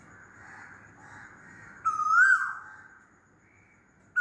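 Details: One strong rising whistle from a loudly calling Asian koel, sliding upward before fading, preceded by soft background murmur.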